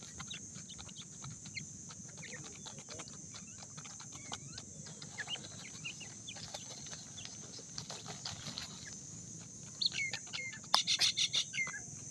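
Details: Francolin (dakhni teetar) chicks calling in the morning: many short, thin peeping chirps at irregular intervals, louder in a cluster near the end, over a steady high-pitched hiss and low background rumble.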